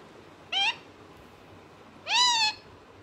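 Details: A parrot talking, giving two rising harmonic calls, a short one followed by a longer, louder, arched call.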